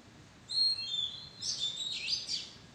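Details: An Oriental magpie-robin sings in a madan tree bower. Two thin, steady whistles come first, then a rich burst of warbled, rapidly varying notes that ends with several short chirps.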